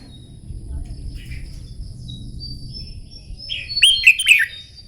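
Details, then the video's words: During morning contest-song training, a red-whiskered bulbul gives a quiet lead-in, then a bright, rapid, slurred whistled phrase of several notes near the end. "Chào mào hót kích lửa " luyện chào mào hót đấu buổi sáng" kích chim hót căng lửa"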